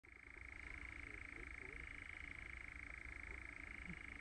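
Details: European nightjar (Caprimulgus europaeus), churr.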